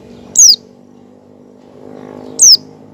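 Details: Two sharp, very high down-slurred notes about two seconds apart from an oriental white-eye singing in 'ngecal' style, played to coax other white-eyes into singing; quiet low hum underneath.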